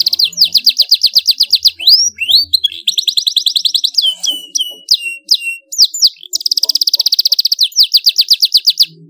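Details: Vigorous domestic canary song: long rapid rolling trills alternating with swooping whistled notes and choppy phrases, loud and nearly continuous throughout.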